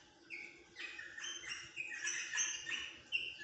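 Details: Rosella chattering in quick succession: clear whistled notes and brief slurred chirps tumbling together, about three per second, over steady low hum.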